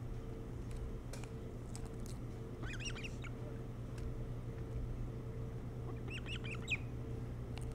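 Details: Nest-camera recording of an osprey on Hog Island, Maine, before dawn on 3 July 2018, with two bursts of quick, high, slurred chirps separated by a few seconds, and a constant low hum and faint ticks in the background.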